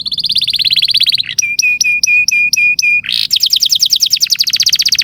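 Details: Canary song used to prompt young canaries to sing: a buzzy trill, then six evenly spaced clear whistled notes, then a fast rolling trill of sweeping notes.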